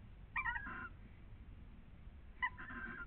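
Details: Breeding pair of barn owls on a nest webcam in Cabañeros National Park, Spain: two brief, nasal, wavering squeals about two seconds apart during mating, over a low steady rumble.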